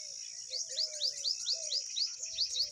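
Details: Pipit at its nest, the mother rushing to feed her babies after one fell out: about ten thin, high, upswept chirps in quick succession, over a steady high insect-like hiss and a faint low wavering tone.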